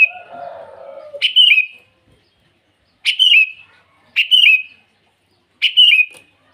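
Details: Lively sooty-headed bulbul calling rivals in the morning: crisp whistled phrases, each a sharp rising note dropping into a slur, repeated four times about every second and a half after a brief buzzy chatter.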